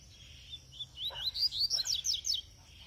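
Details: Double-collared seedeater with three moults, fed brachiaria seed, delivers high twittering phrases that build into quick repeated slurred notes over about one and a half seconds, with two soft lower clicks underneath.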